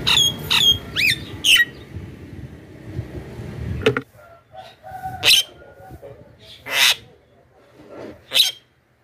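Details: Javan myna calling loudly as a lure for wild mynas: rapid whistled and rasping notes over a noisy background at first, then spaced harsh squawks about every one and a half seconds.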